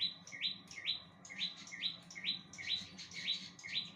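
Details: Bar-winged prinia in lively song, giving around nine quick upslurred chips at a steady half-second pace, bright and rising, with a few crowding closer together near the end; a low hum runs underneath.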